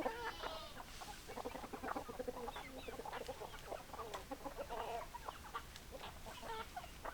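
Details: Several hens cluck in overlapping short notes and brief rattling runs, mixed with soft background noise throughout.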